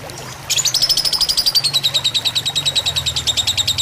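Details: Lovebird fighter song used as tutor material alongside trickling water: silence breaks at half a second into rapid, piercing chatter with a slowly falling ringing tone, a low hum of water beneath.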